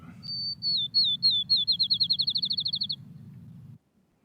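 Field Sparrow song: clear, slurred whistles that begin slow and accelerate into a rapid trill, like a bouncing ball, over a low hum.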